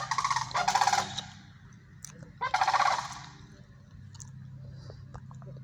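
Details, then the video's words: Sandhill cranes calling; two loud rattling, trumpeting bursts about two seconds apart, each a rolling series of rapid harsh notes, over a constant low droning background. "Sandhill Cranes Calling"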